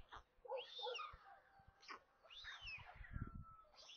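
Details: White stork chicks at a nest near Kaluga, Russia, during feeding at 13:57 on 27 May, give thin, mewing begging whines that rise and fall in arcs, over low thumps and knocks.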